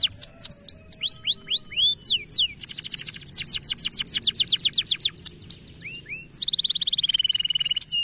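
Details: Young canary repeats clear looping whistles, then bursts into dense rapid trills, ending with a fast high rattle and a drawn-out descending whistle.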